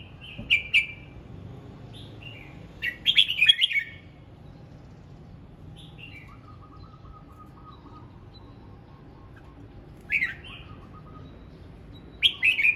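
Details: Red-whiskered bulbul singing in the morning, practising its voice: short bubbly whistled phrases, each rising then falling, given in bursts near the start, around three seconds, ten seconds and at the end, with quiet gaps and a faint lower whistle between.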